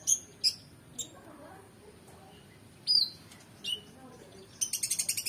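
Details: Oriental magpie-robin singing, recorded as a training track for competition birds: scattered sharp high chirps and a clear downslurred whistle, ending in a fast series of harsh rattling notes.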